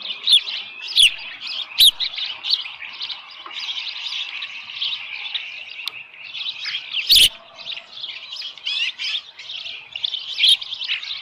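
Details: Morning calls at a Dunrovin Ranch osprey nest, 13 July 2018, a small live fish at hand: long, softer run of thin high chirps and squeals, with occasional loud clicks and thumps scattered throughout.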